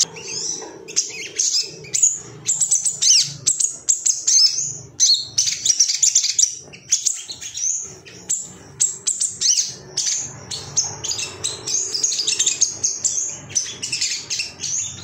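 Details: Ruby-cheeked sunbird, male, stirred up and seeking opponents: energetic, jumbled very high twittering and sharp chips over fifteen seconds, delivered in tight bursts separated by short breaks.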